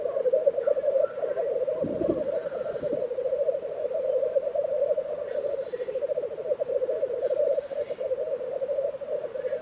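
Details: Black grouse at their lek in Tiveden, Sweden, April 2023: continuous deep bubbling coos, a low thud early on, then two airy hissing calls later over the drone.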